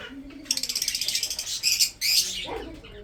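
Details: Breeding budgerigars give a fast string of clicking, pulsed chirps, then a louder buzzy squawk, with a brief low tone at the start.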